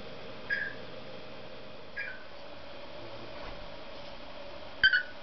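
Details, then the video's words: Singing cockatiel kept as a pet, giving three brief chirps spaced over about four seconds, the last one louder, with a quiet room hum behind. "Попугай Корелла песенки поет Parrot Sings"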